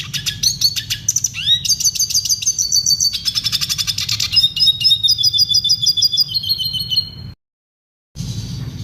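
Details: Tutor recording of red siskin song for caged birds, clear and clean: dense rapid trills and rising whistles, long buzzy runs of quickly repeated notes, a brief silent gap near the end, then song resumes.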